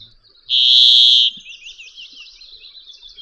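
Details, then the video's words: A Brambling gives one loud, drawn-out nasal buzz lasting under a second, a flat wheezy 'dzweee'; faint twittering from other birds continues after it. "Canto Del Pinzón Real"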